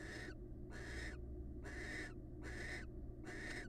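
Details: Barn owls, wild, calling during pair bonding. Five breathy, raspy hisses, each under half a second, separated by brief gaps, with a low hum underneath.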